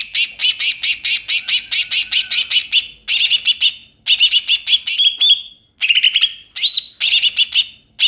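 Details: Wild greater green leafbird gives a fast series of about a dozen harsh, high chattering notes, then loud scratchy phrases and slurred rising whistles.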